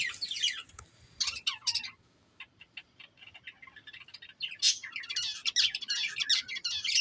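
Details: Breeding pair of budgerigars in dense, high, scratchy warbling chatter, fast rippling chirps that pause briefly around the second second, then resume louder and continuous to the end.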